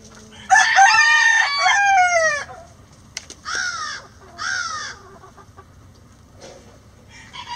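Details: Rooster crowing before dawn as the flock exits the coop: one loud, two-second crow with a falling ending, followed by two shorter, clipped crowing calls.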